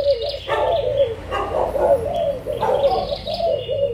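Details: Adult spotted doves, Malaysian and Thai birds, recorded 16 March 2022, utter repeated soft hooting coos at a steady pace of about one per second, with scattered high twitters from other birds behind them.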